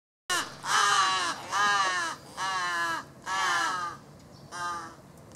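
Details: A large-billed crow nestling begs insistently for food but is ignored by its parent, which approaches the recorder. It gives five harsh, nasal, drawn-out caws, each under a second long, about a second apart.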